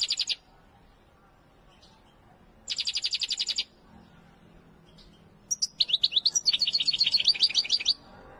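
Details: Wedani goldfinch song mixing fast buzzy rattles with a longer stretch of varied high twitters and liquid chirps, the bursts separated by short silences.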